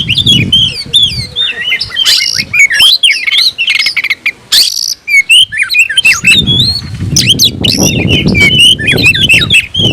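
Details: Aroused oriental magpie-robin, tail open, calling an opponent to fight: quick runs of varied whistles and harsh bursts, a brief lull mid-way, with heavy low rustling noise at start and end.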